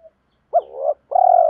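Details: A spotted dove decoy gives a challenging call meant to lure wild birds: a faint short note, then an abrupt coo rising into a buzzy, swelling note, and a sustained throaty coo that continues to the end.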